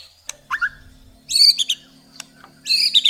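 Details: White-rumped shama uttering scattered short phrases: a low slurred note, then two bursts of harsh, chattering high notes, separated by sharp clicks and pauses.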